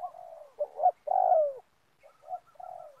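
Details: Coo phrases of a spotted dove used as a lure for trapping in oil palm plantation land: a soft opening note, a quick double coo, a drawn-out falling hoot, then a quieter phrase.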